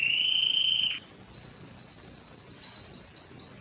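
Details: Song of a Belgian canary: a steady held whistle, a brief break, then a fast rolling trill of rapidly repeated high notes, about four per second.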